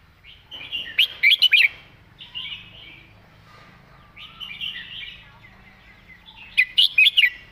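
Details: Red-whiskered bulbul delivering a "master song" with beautiful phrasing: two loud bursts of four or five rapid, sharp whistled notes, separated by softer background warbling from other birds.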